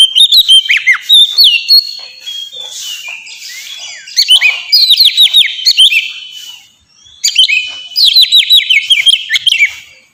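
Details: Oriental magpie-robin singing as a training lure for pet birds: three loud phrases of quick, varied whistles and chirps, many sliding downward, separated by quieter twittering pauses.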